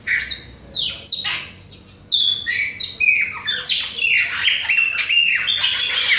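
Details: Chopi blackbird from Bahia, Brazil, singing non-stop in front of other birds: a busy run of clear whistled notes, sharp upslurs and downslurs and brief squawky bursts, with a pause near the first second before the song resumes densely.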